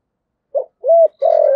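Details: A brief spotted dove coo in the thổ voice style, meant to lure wild doves. A short soft hoot is followed by a rounded note and then the start of a long, steady coo.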